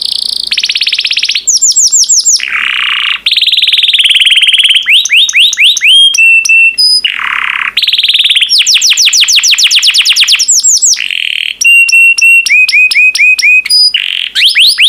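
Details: Caged yellow canary singing a long varied song: rolling trills, low buzzy churrs, rapid descending sweeps and clipped high notes repeated in quick series, with brief pauses between phrases.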